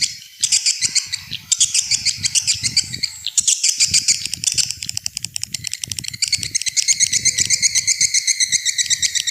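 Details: Calling sound used to lure swiftlets, old-style version: long runs of high, rapid chirps repeated about four times a second, bursts separated by short gaps, then a steady pulsing twitter to the end.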